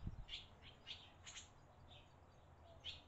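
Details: Barn swallow nestlings being fed by their parents in Las Cruces; a brief thump, then a scatter of high, sharp chirps at irregular intervals, some doubled, over a low steady hum.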